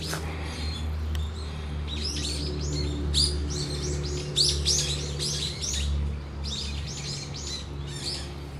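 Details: Raptor alarm from a Brown-eared bulbul, recorded 14 November 2013: high, piercing chirps in rapid groups, briefly paused, then resuming, with a constant low rumble underneath.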